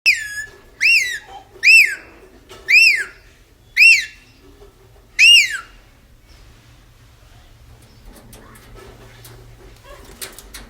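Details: Pet parrot described as aggressive, indoors: five loud, clear whistled notes, each rising then falling in an arch, repeated roughly once a second. They are followed by quieter scratchy rustling and clicks.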